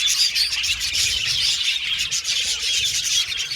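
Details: A flock of budgerigars in an aviary fills the air with rapid overlapping chirps and warbling squeaks, a dense high chatter throughout.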